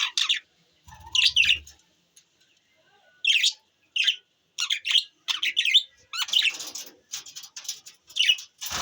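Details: Pet budgies chirping in a lively burst of sharp, scratchy chirps and warbles repeated about every half second, some overlapping and harsher toward the end, with a brief low rumble early on.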